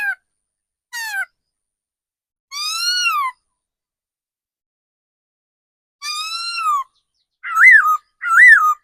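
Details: A seasoned decoy laughingthrush, kept caged, gives long drawn-out whistles that rise and then fall, rich in overtones and separated by pauses of several seconds. It ends with two quick arched, rolling phrases.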